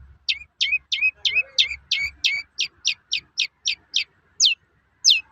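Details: Long-tailed shrike giving its toet-toet call, used to provoke other shrikes into singing: a fast series of about sixteen sharp, high, downward-sweeping notes. The notes come quickly at first, then spread out. A faint low rumble sits underneath.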